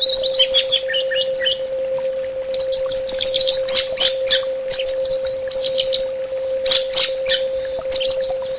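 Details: Orange-headed thrush delivering fast, dense bursts of high chirps and whistles in repeated phrases, with a constant low hum underneath.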